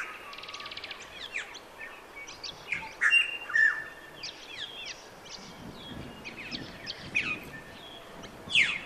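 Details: Australasian figbird (Sphecotheres vieilloti) at the Sherwood Arboretum, calling with sharp, high, downslurred chirps and short chattering notes in quick, irregular bursts, with faint background bird chatter.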